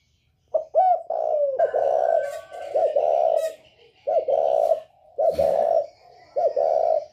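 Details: Northern Vietnamese spotted dove with the 'còi bổi' style of voice, a call used to rouse other birds, cooing loudly and almost without pause in deep, breathy phrases. Occasional clicks and brief rustling noises break in.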